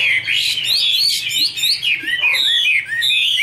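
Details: Female Chinese hwamei singing with a male in the background: rapid, loud, whistled phrases of rising and falling slurred notes, tumbling one into the next without pause.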